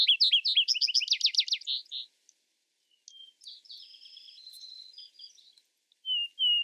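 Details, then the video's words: Vesper sparrow song: a fast series of bright, down-slurred notes for about two seconds, then a pause, sustained high whistles and a final pair of clear whistled notes. "Vesper Sparrow Bird Sound Bird Song Bird Calling, Chirps Lissen Birds Chirping"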